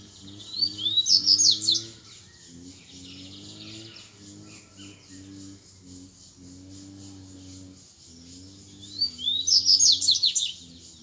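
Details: High, rapid grego-style song phrases from a wild double-collared seedeater contesting rivals after playback, one at the start and another near the end, over a steady low droning hum.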